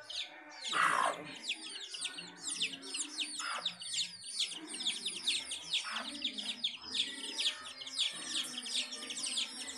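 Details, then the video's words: Domestic hen with her chicks: dense, continuous high peeping from chicks in rapid repeated bursts, with lower clucking notes from the hen underneath. "House Hen and Chicks"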